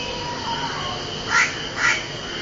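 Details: House crow (Corvus splendens) giving two hoarse, grating caws about half a second apart after a quiet stretch, over constant low background noise.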